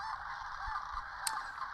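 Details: Thousands of sandhill cranes on spring migration at Rowe Sanctuary on the Platte River, Gibbon, Nebraska, in an unbroken wall of rolling, rattling bugles, with one louder call rising briefly above the rest; cranes can recognise each other's voices within the din.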